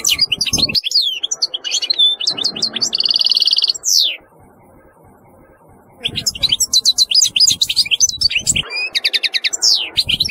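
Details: European goldfinch delivering a dense, fast twittering song with a nasal buzzy stretch, a two-second pause, then rapid liquid chirps resuming over low background noise.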